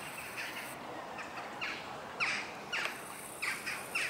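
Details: Western jackdaws flying in a large flock at sunset before roosting in trees near Houtwijk shopping area, The Hague, Netherlands, 11 October 2015; short sharp calls repeated about every half second over a steady hiss of background noise.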